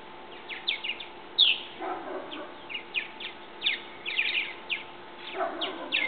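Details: Fledgling purple martins testing their wings after leaving a bird house: scattered high chirps, some sliding steeply downward, arrive irregularly, with a brief lower, softer chatter in between.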